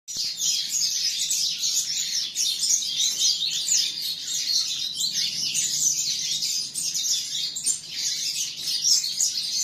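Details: Young canary, bred from two named parent birds, singing a continuous, rapid high twittering warble of trills and chirps that runs without a break for the full ten seconds.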